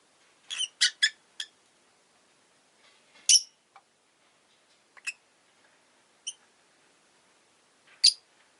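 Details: Rosy-faced lovebird chirping: a burst of four rapid harsh chirps, then single loud shrill calls spaced one to two seconds apart, with soft clicks between.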